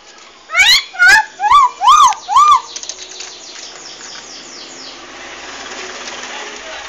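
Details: Paddy-field bird whose call is likened to swearing, "asu ya": a burst of five loud nasal arched notes in about two seconds, then fading echoes and quiet background hiss.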